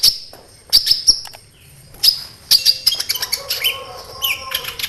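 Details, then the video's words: Sunbird lure song to get other sunbirds responding; piercing high chips in small groups, then a denser run of fast twittering and squeaky notes. "SEMUA Burung KOLIBRI CUEK LANGSUNG RESPON DAN GACOR Dengan PANCINGAN INI!KOLIBRI NINJA GACOR"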